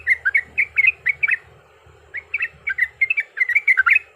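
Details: Lure recording of yellow-vented bulbul fighting song: bursts of quick liquid chirps broken by a brief pause, then resuming, over a low rumbling background.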